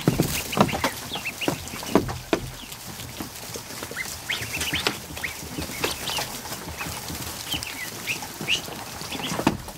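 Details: Ducklings just hatched, more than a hundred crowded into a kiddie pool in a barn during the afternoon, peep in short high notes amid sharp clicks and pecking taps.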